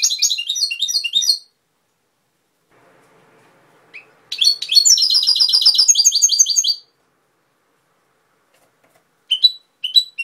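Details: European goldfinch singing in Cobia, Málaga: rapid tinkling, liquid twittering bursts of high chirps, one phrase at the start, a longer run in the middle, then a few short notes at the end, with quiet gaps between.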